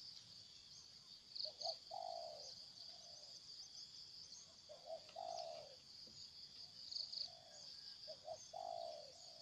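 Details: A wild spotted dove that came in to fight and then left, giving soft, distant cooing phrases, each a short double note then a longer falling coo, three times, under a steady high insect drone.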